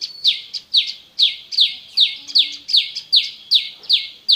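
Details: High, rapid series from an olive-backed prinia (prenjak lumut), a recording meant to draw singing from caged prinias: crisp descending buzzy notes repeated steadily, roughly two or three each second, with little background.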